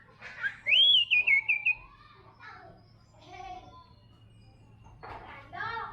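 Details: White-rumped shama (murai batu trotol) gives a short, sweet run of rising and wavering whistles. Faint, muffled sounds follow for most of the time.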